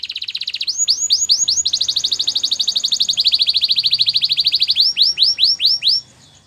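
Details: White Belgian canary singing a loud, high rolling trill: a long run of rapid upslurred notes, roughly ten per second, easing into a few slower, separate sweeping notes before falling silent.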